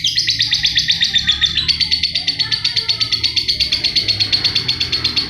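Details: Rapid, unbroken high chatter from a lovebird, used as tutor song for other birds, with pulsed buzzy notes repeating almost three times a second and a faint low hum underneath.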